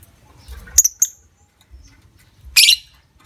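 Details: Lovebird ngekek as a lure to make other lovebirds trill: two quick squeaky high chirps, a pause, then a dense, harsh rasping burst, over light low background noise.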